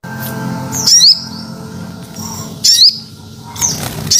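Crested Jay giving three sharp, very high squeaky calls that slide downward, spaced about a second apart, over a low murmuring background hum.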